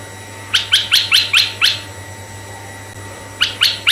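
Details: Red-eyed bulbul in full song, used to lure other bulbuls of either sex: a run of six bright chirped notes, a quiet gap, then three more, with a steady background hum.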